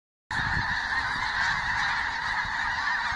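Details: Many geese flying overhead before sunrise in Canada, a dense continuous chorus of overlapping nasal honks with no pauses, the calls blending into one steady clamour.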